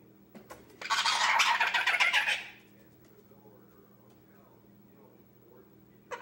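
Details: Young male Indian ringneck parakeet, 10 months old, kept as a pet indoors and playing by himself, gives a dense burst of scratchy, mumbled chatter lasting about one and a half seconds, then falls quiet with a faint click at the end.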